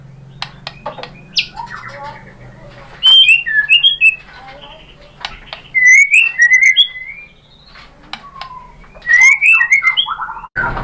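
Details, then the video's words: White-rumped shama lure song meant to provoke other shamas into full singing: three bursts of clear, varied whistled phrases, rising and falling, separated by pauses over a low steady hum. "Suara MURAI BATU jadi EMOSI GACOR BONGKAR ISIAN | PANCINGAN MURAI ¦ SHAMA BIRD"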